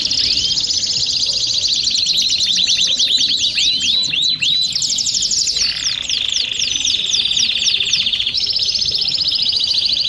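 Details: Flock of domestic canaries singing together, dense overlapping rapid trills and buzzy rolls, high-pitched with repeated sharp descending chirps, an unbroken chorus throughout.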